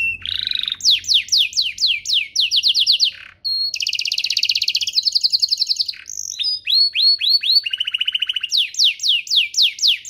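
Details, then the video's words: Canary singing a model song for juvenile canaries: series of rapid falling whistles, a brief gap, long pulsing trills, a short whistle, then more quick descending notes in regular rhythm. "Suaranya MUDAH DITIRU, Efektif untuk Masteran Kenari Paud dan Pancingan kenari biar gacor"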